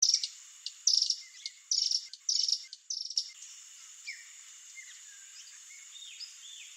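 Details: Wild Swallow-tailed Hummingbird (Eupetomena macroura) in Brazilian nature: bursts of high, dry, rapid chittering notes during the first three seconds, followed by quieter, thin, sliding notes from other birds over a steady high hiss.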